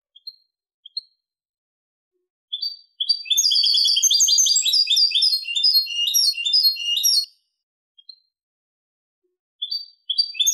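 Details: European goldfinch singing in the 'limpio' (clean) style, recorded 2023: a few scattered chirps, then a fast, dense, liquid twittering run of about four seconds of tinkling high notes, then more isolated chirps.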